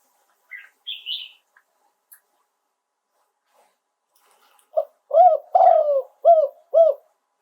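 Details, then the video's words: Spotted dove in live "โยน 2 กุก" song. A few faint higher chirps come first, then after a pause a low five-note coo phrase: a short note, two longer swelling coos and two brief arched coos. "โยน 2 กุก คารมเด็ด เสียงนกเขาใหญ่ ขันสด"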